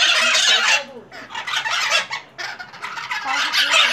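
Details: A flock of Pionus parrots (maitacas) screeches noisily at a house in Santa Maria Madalena, RJ, Brazil, on 26 January 2014, in harsh, raspy overlapping bursts in three or four loud waves, with a faint human voice underneath.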